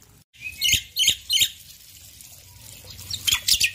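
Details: ['Male Black-winged myna in the morning gives three loud rasping notes spaced under half a second apart, then quieter chatter and another harsh triple burst over a light background hiss.']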